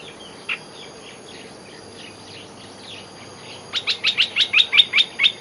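Olive-winged bulbul: soft, scattered chattering, then a quick run of about nine sharp, bright chirps, roughly three per second, over faint background hiss.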